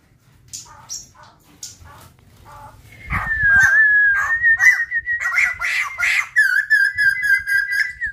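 White-crested laughingthrush giving a rapid series of loud, harsh chattering notes over a sustained whistled tone, after softer scattered chips at the start.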